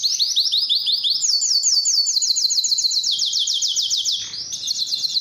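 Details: Belgian canary in breeding song meant to attract females: rapid high rolling trills that step up in pitch partway through, a steady series of buzzy syllables, a brief drop, then a fresh high trill.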